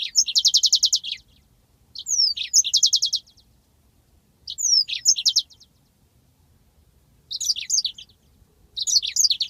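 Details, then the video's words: A long rolling 'ngeroll' song of a yellow-fronted canary, from a training master recording. Five high phrases each open with sweeping whistled notes and run into a rapid buzzy trill, with short silences between them. "masteran handal burung Mozambik ngeroll panjang"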